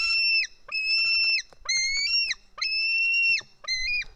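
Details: Estonian White-tailed eagle chick begging with screams as an adult hands over fish, 4 July 2018 around 1 pm; five piercing, flat whistled calls with sharp falling ends, some stepping up in pitch partway through, roughly one per second.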